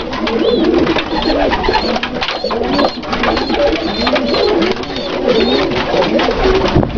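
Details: Dalıcı-breed pigeons, several birds, giving low rolling coos that rise and fall in repeated arcs and overlap one another, over steady rustling and flutter noise with occasional thin high chirps.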